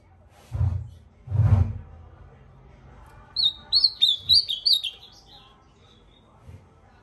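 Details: Ultramarine grosbeak giving a short run of bright downslurred whistles after two low thumps and soft human voices nearby, the song trailing off into quiet.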